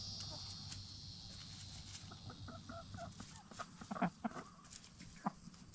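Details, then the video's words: Free-range hens, black star and Bielefelder, getting settled for the night inside their movable chicken tractor. A steady insect drone fades as scattered low clucks and brief murmurs pick up, with a few louder clucks near the end. "Relaxing Hen Sounds - Chickens In Chicken Tractor"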